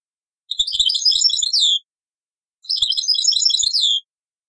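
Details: Taqsrain song of a European goldfinch from an old cassette: two similar bursts of rapid, bright twittering about two seconds apart, each ending with a downward slurred note.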